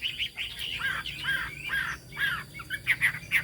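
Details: Chinese hwamei with fig-leaf tail and turmeric-yellow bill singing high: mellow slurred whistles and warbles in uneven bursts, ending with sharp bright notes, over steady background noise.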